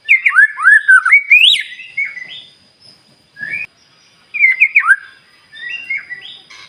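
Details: White-rumped shama singing steadily day and night, a song used to provoke other shamas and rouse silent ones: bright whistled phrases of swooping, rising and falling notes, in two bursts separated by a short pause.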